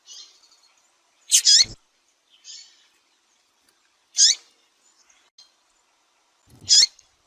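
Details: Calling female Double-collared seedeater, used by Brazilian breeders to stir up a male: sharp high chirps, one doubled, recurring every two to three seconds, with a few fainter soft notes between.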